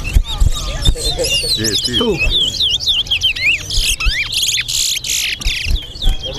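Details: At a towa towa bird competition in Guyana, a chestnut-bellied seed finch delivers fast warbling whistled phrases, with thumps, rustling noise and people speaking in the background.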